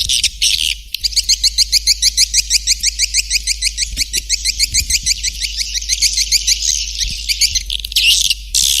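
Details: Swiftlet attraction call: brief harsh buzzes, then a long rapid sequence of high, slanting chirps, about three a second, closing with rasping buzzy bursts against a low background hum.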